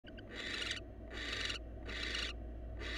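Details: A wild barn owl of a newly paired couple at a monitored nest box gives harsh, hissing screeches, each about half a second long, repeated roughly every three-quarters of a second over a steady low hum.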